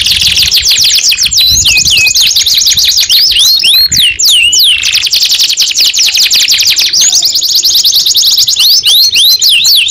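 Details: {'text': 'Canary song of fast high chirp series broken by a few slower swooping whistles, then a long buzzy rolling trill and more rising looped notes; loud throughout.'}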